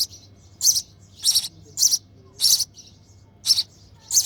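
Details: Hungry sparrow chick begging in the nest while its mother feeds it: harsh, high chirps repeated about every half to two-thirds of a second, six bursts in a row, over faint low hum.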